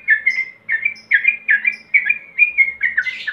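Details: Male yellow-vented bulbul calling to a rival, a lure recording: a rapid run of bubbly, chattering phrases, about two per second, at a fairly high pitch, over a faint low hum.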